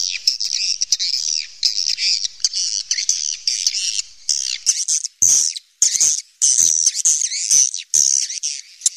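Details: Cave-recorded swiftlets producing bursts of high, scratchy twittering and squeaky chirps, broken by brief gaps. Sharp clicks punctuate the sound between phrases.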